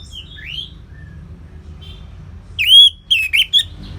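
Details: Orange-headed thrush, a cage bird singing in the full, open ngeplong style: a few soft scattered whistles, then loud, rich, slurred whistled phrases with quick warbling notes.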